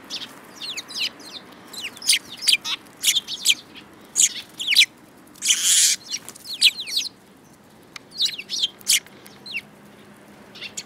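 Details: A group of sparrows recorded in March 2018, chirping busily in quick bursts of high, clipped notes, with one brief loud rustling burst near the middle.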